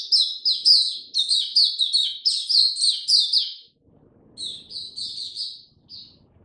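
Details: Oriental white-eye, a kept bird given a mixed health-supplement potion, dated 2 May 2022, opening into song: a rapid run of high, sweet chirped and slurred notes for about three and a half seconds, a short pause, then another twittering burst.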